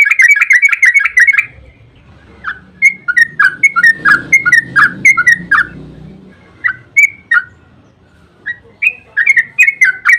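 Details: Yellow-vented bulbul in a long, rapid 'ropel' song used as a lure to make other bulbuls answer: a fast rattling burst of bubbly whistled notes, then scattered liquid rising and falling phrases, with faint low background rumble.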